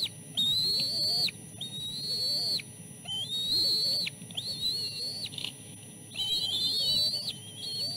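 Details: Chicks calling as they are fed fish at the nest, the oldest fending off its two siblings. Five long, loud high whistles, each level or slowly rising before a sudden drop, spaced about a second apart.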